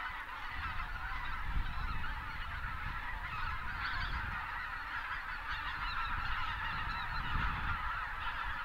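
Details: Greater white-fronted geese in their thousands, winter south of Uvalde, South Texas, with pelicans taking off among them; dense chorus of honks with a few sharper yelps standing out, over strong low rumbling from wind or wings.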